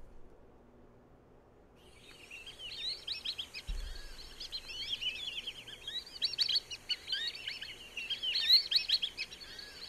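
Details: A flock of Black-bellied Whistling-Ducks at Sonso Lagoon, tropical dry forest in Valle del Cauca, Colombia, gives many overlapping high, thin whistles rising and falling in quick chattering bursts, with a single low thump.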